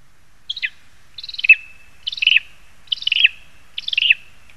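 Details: Lesser spotted eagles in a spruce in Zemgale, Latvia, on 22 August 2021. One gives five high, yelping phrases of quick downslurred notes, roughly one phrase a second, with no other sounds.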